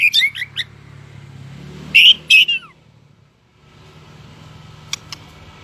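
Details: White-rumped shama coming into breeding form, tail-flicking, singing competitively: quick whistled notes and two loud bursts with downward slurs, over steady low engine rumble.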